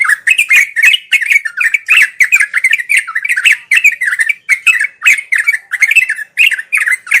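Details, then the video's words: Sooty-headed bulbul singing ngeropel, a steady chattering style used daily for birds that are learning; loud, tumbling twittery notes packed closely, occasional short breaths between runs. "Suara burung trucuk"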